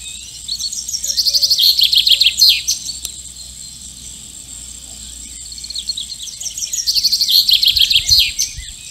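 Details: A common chaffinch seeking a mate sings two bright, cascading phrases, each about two seconds long, that tumble downward and end in a flourish, with a steady high insect hiss underneath.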